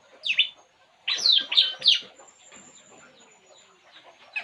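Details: Relaxing puling bird giving a loud high downslurred chirp, then three quick harsh notes, followed by softer twittering.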